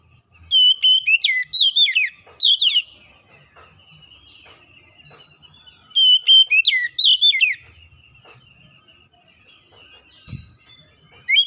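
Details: Kacer lure song meant to trigger silent birds, with two separate bursts of quick, bright, downward-slurred whistles several seconds apart, a faint thump, and quiet in between.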